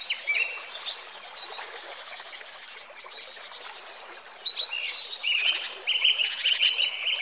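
A kingfisher gives sharp, high-pitched piping notes, then a fast, dry trill near the end. Other faint chirps are heard against a soft outdoor hiss.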